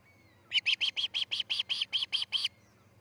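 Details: Osprey chick fledging from the Charlo nest, early morning of August 10, 2018: a run of eleven sharp, evenly spaced high chirps over two seconds, each a short bright note repeated about five times per second, with faint low background hum.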